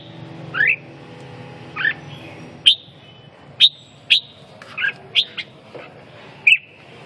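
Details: Slurred whistled notes from a red-whiskered bulbul, some rising, some falling, spaced roughly half a second to a second apart, with a few sharp clicks and a quiet hum.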